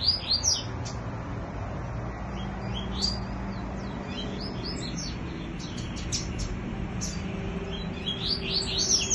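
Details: Caged double-collared seedeater singing in a contest with a free wild bird: quick high swept and slurred whistled notes in bursts, over steady loud broadband background noise.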